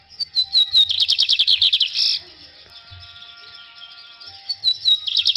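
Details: Kept Lined seedeater singing the corujinha song style: a fast run of bright, high chirped notes that slide downward, about two seconds long. A quieter pause with faint steady tones follows, then the high notes start again.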